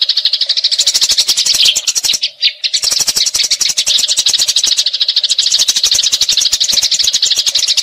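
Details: Eurasian tree sparrow fighting, a long rolling chatter used as a tutor sound for magpie robins: dense, rapid chirps overlaid with clicking rattles, with a short pause midway.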